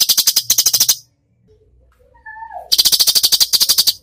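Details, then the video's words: Cucak cungkok in active 'tembakan' song: two long machine-gun rattles of dry, evenly spaced ticks, separated by a pause with a brief sliding whistle. "masteran cucak cungkok gacor full tembakan"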